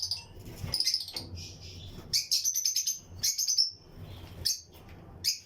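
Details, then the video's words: Lutino lovebirds, pairs in a breeding colony flight aviary, chirping among other birds: bursts of shrill, high chirps and rapid chatter coming in short clusters separated by brief pauses, over a low background hum. "Lutino Lovebirds Breeding Colony Cage - Chirping and Relaxing Sound"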